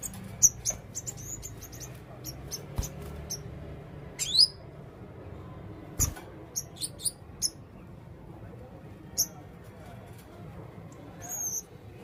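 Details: Sparse high, sharp squeaks and short rising chirps from a male blue-crowned hanging parrot with red throat, spaced irregularly over twelve seconds, with quiet low background hum between them.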